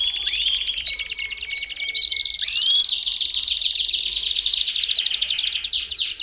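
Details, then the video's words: Belgian canary song for warming up a canary: a continuous dense, high buzzing trill with a few sliding whistled notes woven in, steady and loud throughout. "CANTO PARA ESQUENTAR CANÁRIO BELGA RÁPIDO!!!"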